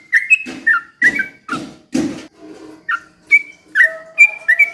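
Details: Sooty-headed bulbul in 'ropel pelan' slow rapid song meant to provoke other birds into singing: liquid whistled slurs repeated about every half second, mixed with low thumping and rustling noises and a faint steady tone.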